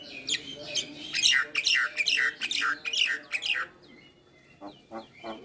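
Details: Jalak kebo, the Javan myna, singing a full isian song: a fast run of loud, repeated descending whistled chirps for several seconds, then a pause and a few softer scattered notes.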